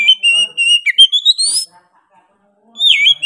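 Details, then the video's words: Loud 'gacor' song by an Oriental magpie-robin: a steady chain of whistled notes building into a high rising sweep, a pause, then another falling whistle. "KACER GACOR NGOTOT PEDES SUARA NYA GA DA AMPOON"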